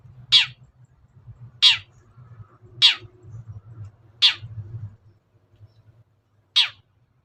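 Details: Long-tailed shrike provocation sound for birds slow to sing: five scratchy, descending screeches spread over seven seconds, a longer pause before the last, with low rumbling in the background.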